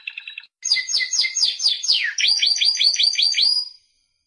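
A Timbrado canary sings a rapid phrase: a brief flat trill, then quick sweeping whistles and a fast run of about eight repeated down-slurred notes.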